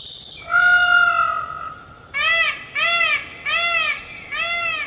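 Peafowl gives one long, nasal, trumpeting wail, then four loud arched honks about every two-thirds of a second. Nothing else is heard.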